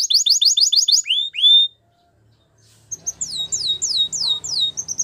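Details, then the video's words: Belgian canary in song training: fast repeated high trilled syllables and a downslurred note, a short pause, then a series of sweeping down-slurred whistles repeated rapidly, with faint low background hum. "Belgian Canary Singing"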